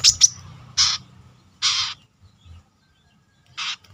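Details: Captive brown-throated sunbird undergoing confidence training with a fighting temperament. Harsh, broadband rasping bursts, each under a quarter second, come in uneven spacing after two sharp high chips, with a faint low hum throughout.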